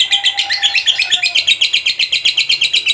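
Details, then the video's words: Fighter-type contest lovebird in steady ngekek chatter: rapid, evenly pulsed, shrill buzzy notes, about four each second, held at a high pitch throughout. "SUARA BURUNG LOVEBIRD FIGHTER GACOR NGEKEK PANJANG.!"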